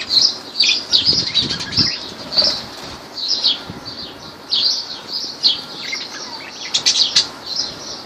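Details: Lovebirds in Laylan, Kirkuk, giving a busy series of high, bright chirps and short squeaky notes, several per second at times, with low thuds and a constant hiss behind them.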